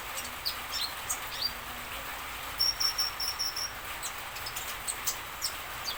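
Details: Common iora song aimed at prompting other birds to answer: scattered high chirps, then a quick run of repeated thin whistled notes in the middle, followed by sparse clicks over constant hiss.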